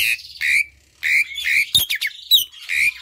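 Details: Asian pied starling song, played to prompt silent or reluctant birds to sing: harsh squawky notes alternate with bursts of bright whistles and short chattering phrases, broken by brief pauses.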